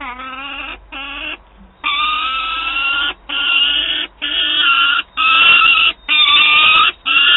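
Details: Young peregrine falcon at Wałbrzych, Poland, on 9 August 2022, begging its mother for prey: a run of about eight harsh, drawn-out wailing calls, each roughly half a second to a second long, separated by short pauses.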